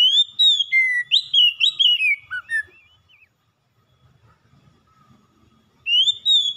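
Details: Rich varied phrase of oriental magpie-robin gacor song: rising whistles, a low clear note, quick warbles and downslurs, then near silence for about three seconds before another rising whistle begins.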